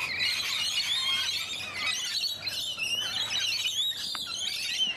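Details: Rainbow lorikeets in an Australian garden at Donvale give unbroken, high, shrill chattering, with thin whistled notes and squeaky screeches woven through the noisy chorus.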